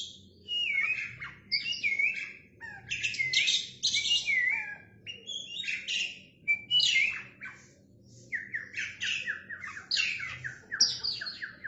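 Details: Male Oriental magpie-robin singing vigorously while fanning its tail: rapid varied phrases of sharp downslurred whistles, buzzy rattles and high chips in dense bursts, with short pauses between phrase groups.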